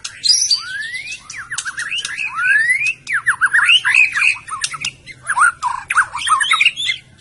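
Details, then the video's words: White-rumped shama of Medan singing long rising slurred whistles and a rapid series of scratchy, swooping notes, loud and continuous throughout. "kicau burung murai batu medan"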